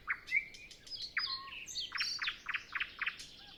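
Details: Pre-dawn nightingale song on a calm morning with no other birds yet singing: bright whistled slurs and twists, then a run of rapid chunky repeated notes, closing on a soft low whistle.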